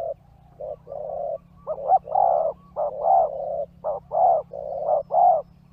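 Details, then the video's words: Spotted dove lure call for wild birds: a run of mellow coos, short notes mixed with longer drawn-out ones, some rising then dropping, delivered irregularly against a steady low electrical hum. "Pikat Tekukur Di Hajar Burung Liar"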